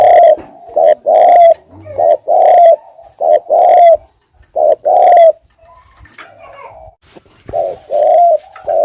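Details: Lure spotted dove in 'thúc gù' cooing style, repeating loud low paired coos, a short note followed by a longer slightly rising one, roughly two pairs per two seconds, with a brief gap and soft knocks midway.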